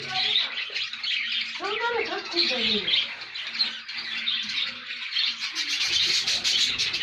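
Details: A colony of budgerigars in Jhelum keeps up a dense, high warbling chatter of chirps and squawks.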